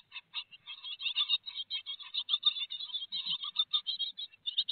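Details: Great tits at a nest box in Théding, France, on 4 May 2021, with a big peanut on the menu: a dense stream of high, thin chirps runs almost without pause, a few quicker bursts mixed in.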